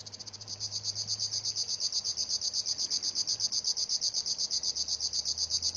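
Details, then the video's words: River warbler song: a dry, insect-like buzzing of fast, even, high-pitched pulses, rattling on steadily like a sewing machine over a faint low hum. "kicau tembakan river warblers"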